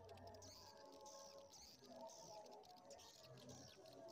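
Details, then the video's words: An edited mix of Edible-nest swiftlet colony calls and mating calls, made as a lure: dense colony chorus of rapid high, buzzy chirps and trills overlapping steadily over a faint low hum. "sp koloni walet birahi"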